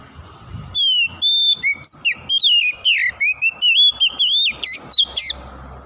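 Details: Kacer, the oriental magpie-robin, singing a long continuous run of clear whistles, many slurred notes linked together, rising toward the end with quick upward flicks, used as a lure to get a lazy bird singing.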